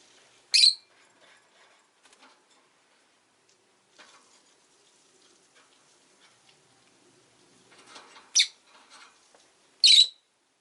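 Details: Rosy-faced lovebird uttering three brief, piercing chirps spread over ten seconds, amid faint rustling and scratching sounds.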